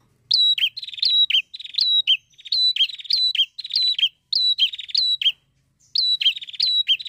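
A prinia sings loud, high, buzzy chattering phrases with sharp ticking notes, bursts about half a second long repeated almost without pause.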